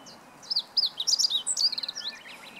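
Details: Meadow bunting song from 20 March 2015: a compact run of sharp, high chips and twisting slurred notes, speeding into a brief dry trill before a few final chirps, with a quiet background.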